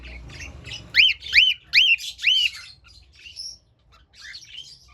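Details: Cockatiel singing, four rising then falling whistled notes given in quick succession, followed by softer scattered chirps.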